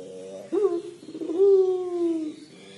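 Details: Puter pelung collared dove 'crying': a sudden hoarse rise is followed by a long, mellow, slightly falling held coo lasting over a second.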